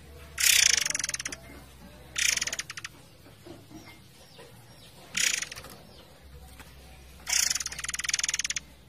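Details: A forktail gives four harsh, high, rattling bursts, each about a second long and spaced two to three seconds apart, over a faint low hum, possibly flowing water.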